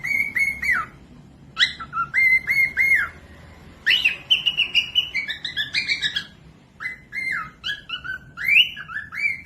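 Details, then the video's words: Cockatiel singing as a training example for other birds: phrases of bright, steady whistles with quick upward and downward slides, separated by short pauses, with a faint low hum behind. "Cocok buat pemasteran falk yang malas bunyi langsung nyaut pemasteran cockatiels cute parrot"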